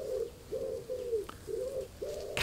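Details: A lone pigeon, possibly calling for a mate, coos softly from a bush and then a fence in an English garden on an unsettled day, 23 July 2020: five low, hollow phrases in quick succession, each swelling then falling away, then a sharp knock at the end.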